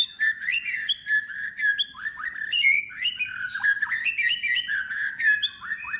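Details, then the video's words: White-rumped shama delivering a continuous varied song to provoke rival shamas: rich fluty whistles that jump and slur, mixed with quick sharp clicks and chirps in a steady flow. "murai batu gacor AMPUH UNTUK pancingan murai batu agar bunyi langsung bikin emosi bongkar materi"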